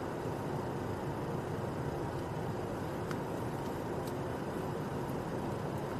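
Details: Continuous roar of passing vehicle traffic with a couple of brief clicks.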